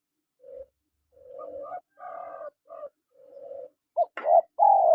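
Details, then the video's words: Spotted doves, male and female, calling: several soft, low hums and faint coos build toward louder, sharper coos and a strong drawn-out falling note at the end. "SUARA PANGGILAN TEKUKUR JANTAN DAN TEKUKUR BETINA"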